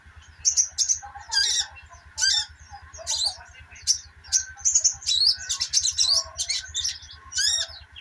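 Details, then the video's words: Sogok ontong, the little spiderhunter, in 'ngeriwik' twittering meant to coax silent sogon birds into song: dense, fast runs of high squeaky chirps and trills, barely pausing, with constant background hum and low pulsing noise. "burung sogok ontong ( sogon ) ngeriwik untuk terapi sogon macet bunyi"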